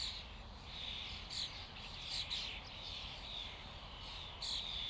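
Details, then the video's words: Common starlings in a flock, their massed calls forming a steady wash of chattering and squeaky notes, broken by a few louder whistled and clicking bursts near the start, middle and end. "Flock of starlings/ Stado szpaków/ Ein Schwarm Stare"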